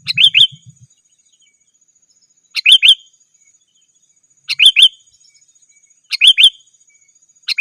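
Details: Sooty-headed bulbul calling to challenge rivals, used to lure wild birds and tutor kept ones: crisp, liquid three-note phrases that rise then fall, repeated at irregular intervals of one and a half to two seconds.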